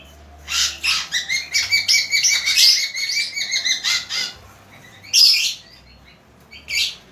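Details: Bird called a lively, constant singer; fast series of sharp, high chirps with a steady ringing tone running beneath, lasting about three seconds, followed by two shorter bursts of bright notes and a faint hum.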